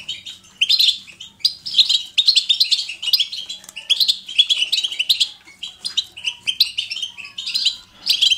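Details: Natural goldfinch 'batbata' singing: rapid, jangling high twitter phrases that follow one another with barely a break. A European goldfinch delivers bright chattering notes throughout.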